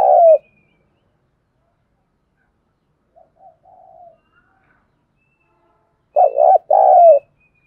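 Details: Spotted dove used as a decoy calling to lure other doves: a loud burst of coos at the start, a soft faint murmur in the middle, then two strong, mellow, throaty coo phrases near the end.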